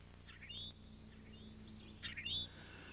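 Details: Female Eastern towhee scratching in English ivy and garden underbrush gives two slurred, sharply rising 'tow-hee' alarm calls about one and a half seconds apart, over a soft low outdoor hum.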